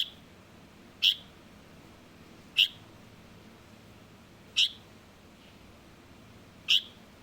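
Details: Juvenile light-vented bulbul calling: short sharp chirps near the top of its range, four notes spaced about one and a half to two seconds apart over a quiet background.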